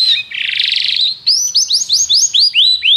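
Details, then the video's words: Canary singing: a brief whistle, a harsh buzzy rattle, then a series of clear rising whistled notes repeated about four times per second, high and ringing. "treinamento canário - seu canário cantará muito se ouvir isso"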